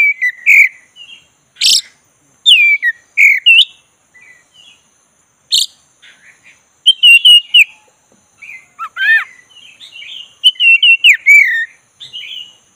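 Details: Black-breasted magpie-robin in relaxed 'ngeroll' song, a lure to get a reluctant bird singing: scattered sharp whistles and downslurs, a rasping buzzy burst in the middle, then a dense, lively cluster of twisting notes near the end.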